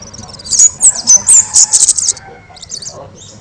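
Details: Very loud, lively kemade song used to teach other birds: sharp high chirps and short whistles in a quick burst of about eight notes, trailing off into quieter high twittering.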